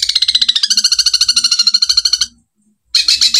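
Long-tailed shrike giving a fast, scratchy rattle of sharp high notes, about a dozen a second for two seconds, then a short pause and a harsher burst.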